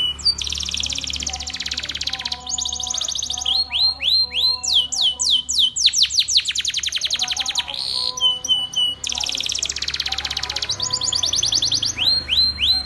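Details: Spanish Timbrado canary training song: dense, fast rolls, buzzy trills and sweeping chirps in quick alternation, over a steady low tonal background like faint music.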